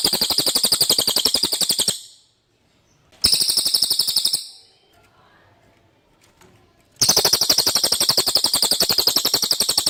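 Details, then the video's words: Common iora singing a clear song used for tutoring magpie-robins: rapid, even, high chattering trills. Two bursts, then a pause of about five seconds before a third long burst begins. "suara cililin jernih pas untuk masteran MB"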